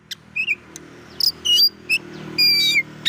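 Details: Oriental magpie-robin song meant to rile other magpie-robins, with short whistled slurs, scratchy notes and a longer buzzy whistle, over a noticeable low hum.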